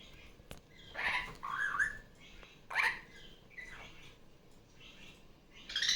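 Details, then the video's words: Pet female superb parrot, just off her nest, calling loudly during Sunday morning playtime indoors. Short bursts of harsh, chattering squawks and squeaky notes come in several clusters. Other barraband parakeet recordings play faintly from a tablet in the background. "Barraband parakeet sounds"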